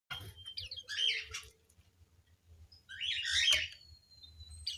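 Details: White-crowned forktail in an aviary: two bright, scratchy twittering bursts, the first near one second and a longer, denser one near three and a half seconds, with quiet pauses and a low background hum.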